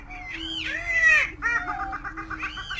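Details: Greater prairie chicken calls: a long wailing whoop that arches upward, then a run of quick clucking cackles, all over a continuous low moaning hoot from other birds.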